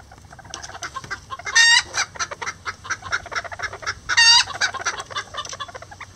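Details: Lavender bantam roosters and a hen building a nest together cluck in soft, irregular murmurs, broken by two loud, harsh squawks about two and a half seconds apart.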